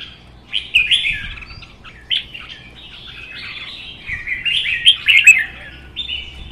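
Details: Red-whiskered bulbuls, caged and singing against each other in competition, including a wild-caught bird of one season. Quick chirpy phrases, then a longer rich warbled run with sharp accented notes toward the end.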